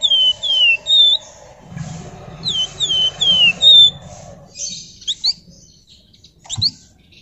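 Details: A flamboyan sings loudly, two falling whistles, a short pause, then four more slurred downward whistles, trailing into sharp rising chip notes; low rumble in the background.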